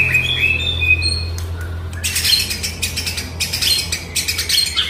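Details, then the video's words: Song of an Oriental magpie-robin, meant to coax a silent bird into singing. A few sweet whistled notes open, then a run of loud harsh scratchy bursts repeated in quick succession. "MURAI DIRUMAH DIEM,//, COBA DENGARKAN KICAUAN INI"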